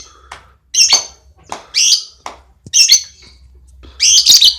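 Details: Champion lovebird in a relaxed ngekek performance: rapid, high, shrill chattering bursts of squeaky notes, each about a third of a second long, coming roughly every second, separated by short sharp ticks and brief pauses.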